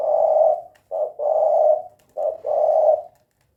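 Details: Tekukur, the spotted dove, giving a 'kuk 2' call: a long soft coo, then short note plus longer coo repeated twice, warm and low, clean background.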